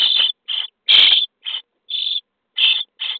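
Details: Common starling nestlings in their nest box on day 23 beg while being fed, giving irregular short and long hoarse rasps, one louder and longer screech near the middle.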